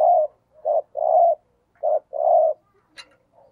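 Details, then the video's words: Lure coo of a spotted dove decoy in thúc gù style: deep hollow coos, a clipped note then a drawn-out rolling note, given twice, ending with a soft click and faint trailing notes. "Tiếng Chim Cu Gáy Thúc Gù - Chim Cu Mồi"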